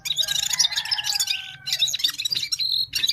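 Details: Gulsar, a Himalayan bird from Parachinar, pouring out a busy, high twittering song with sustained whistled tones underneath, a short pause, then more quick chirps.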